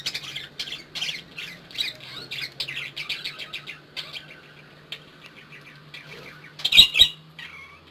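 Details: Budgerigar, locally called Bijri toty, an Australian parrot: a quick run of short, scratchy chirps through the first five seconds, thinning to scattered notes, then one loud, harsh squawk near the end.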